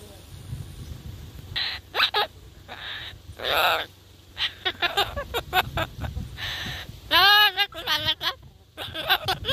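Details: A free-flying Northern mealy amazon gives loud, harsh squawks and rough, rising-and-falling screeches in quick irregular bursts, over a low background rumble.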